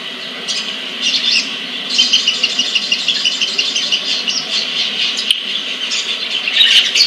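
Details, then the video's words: Collected sunbird from Pemalang, Central Java, Indonesia, delivering a long, continuous, rattling high-pitched twitter of rapid chirps that swells and fades, with a louder flourish at the end. "Aksi Sogon/Sriganti"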